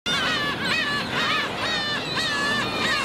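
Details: Black-tailed gull colony where a chick is cruelly attacked by adult gulls, filmed with a 4K camcorder: loud, nasal, mewing calls with arched pitch, repeated roughly twice a second, over a constant background din.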